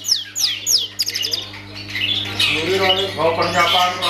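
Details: Caged long-tailed shrike giving a few high, sharply descending whistled notes and quick trills, then softer scratchy warbling and chatter, over a low hum.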